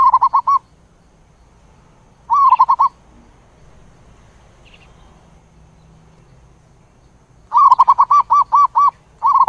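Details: A zebra dove gives a flock-gathering call: three bursts of quick, staccato, mid-pitched coos, each a rapid run of four to eight soft notes, with quiet pauses between.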